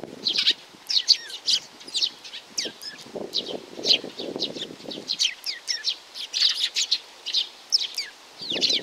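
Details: Rapid, sharp chirping from a young sparrow, with some notes sweeping down. A soft, broad rustle, like wings or movement, comes in partway through and again at the end.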